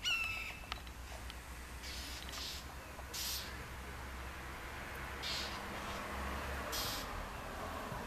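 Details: Northern mockingbird defending its territory by harassing a juvenile red-shouldered hawk on the outskirts of Orlando, Florida, on May 5, 2019: short, harsh, noisy bursts at irregular intervals of one to two seconds, fairly faint, over quiet outdoor background.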